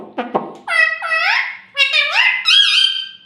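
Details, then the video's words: Pet talking parrot, indoors in a small room, said to say "mummy" and "mittu"; a few short clicks, then three high, squeaky, word-like syllables with sliding, rising and falling pitch. "Ye mittu mummy bolne wala tota [] Talking Parrot [] mitthu mitthu"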